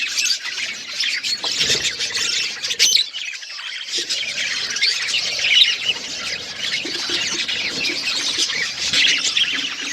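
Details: Several budgies feeding on seeds; busy squawky chirping and warbling, with a low thud and rustle near the second and third seconds.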